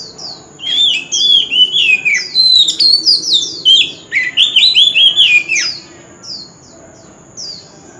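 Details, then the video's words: White-rumped shama male singing without pause in fighting-song style, forest-type voice: rapid run of rich whistled and warbled notes sliding up and down, sharp chips mixed in, quieting in the final seconds. "Chòe Than Trống Hót Liên Hồi – Âm Thanh Chuẩn Giọng Rừng - Chích Chòe Than Hót Đấu"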